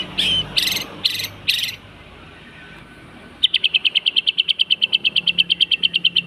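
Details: White-rumped shama song played as a lure for training or provoking other birds: four harsh buzzy bursts, a brief pause, then a fast even series of sharp ticking notes, about three per second.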